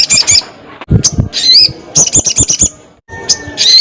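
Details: Crested jay calling: short broken rattles and sharp rising whistled notes, with a few low knocks between phrases.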